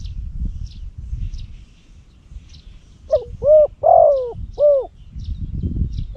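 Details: Decoy spotted dove from Cambodia, prized for its loud voice for luring, delivers a single phrase after a quiet pause: soft lead-in, two hollow hoots, a drawn-out descending coo, then a closing hoot. Small birds chirp faintly; low rumbling.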